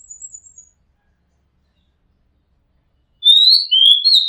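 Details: Whistled song of an Oriental magpie-robin taped from a home rooftop: faint high thin notes at the start, silence, then a loud phrase of clear descending and rising whistles cut off at the end.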